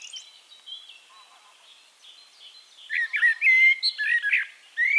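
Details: Eurasian blackbird singing, recorded in Castricum, the Netherlands: soft high chirps from other birds, then a bold, liquid, whistled phrase of rising and falling fluty notes, followed by a new phrase starting at the end.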